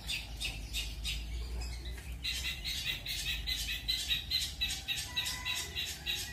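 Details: A long-tailed shrike sings fast "roll speed" and "roll tembak" song material: harsh, rasping bursts running together into a rapid rolling chatter, about three per second, over a low background hum.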